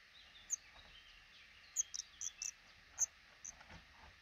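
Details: Black redstart family at a nest tucked under the roof over a house's front door, a couple raising five chicks as eggs hatch; scattered thin, high-pitched squeaks, some in quick pairs or triplets, between quieter pauses.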